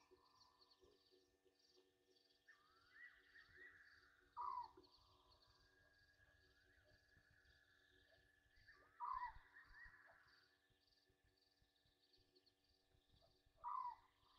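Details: Egyptian geese bathing at night at 21:32 on 27 August 2023, Gowrie dam waterhole, Djuma Game Reserve, Sabi Sand, South Africa: three short, loud, harsh descending calls about every 4.5 seconds over a steady hum of night insects.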